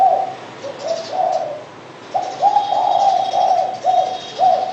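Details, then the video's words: Spotted dove cooing in soft, hollow low notes, one short phrase, then a pause, then a longer run of linked coos that rise slightly and fall, with faint high chirps from other birds behind. "BURUNG DERKUKU"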